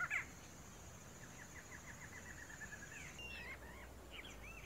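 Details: A male barred antshrike (Thamnophilus doliatus) singing in the wild in Brazil: a fast series of short, nasal notes that speeds up, with other bird calls and a steady high insect hum behind.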